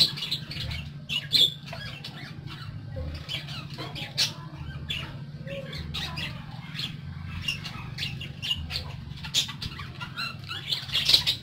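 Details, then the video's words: Several pet parakeets chirp and squawk in short, scratchy, high bursts scattered irregularly through the stretch, some louder peaks standing out over a steady low background hum. "PARAKEETS (Listening To Their Tweets)"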